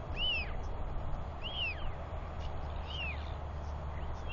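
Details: Three drawn-out, arched whistled whees, each sliding down at the end, about 1.3 seconds apart, from a Royal albatross chick during a feeding and preening visit by its father, 9.6.21; wind noise throughout.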